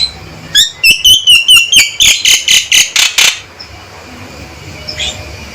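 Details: A male Javan myna calls loudly and firmly in a rapid burst of about a dozen harsh, clipped notes, evenly spaced and then stopping. A faint sharp note follows after a pause.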